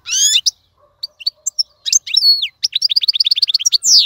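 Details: European goldfinch tutor song for young birds: it opens with a drawn-out buzzy note, then gives scattered thin chips, a descending slur and a quick run of repeated twitters ending in another buzz.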